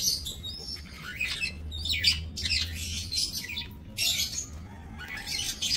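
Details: Breeding budgerigars in a minimalist aviary, 28 November 2024: whistled upslurs and scratchy squawks in clustered bursts from several birds, with a faint low hum in the background.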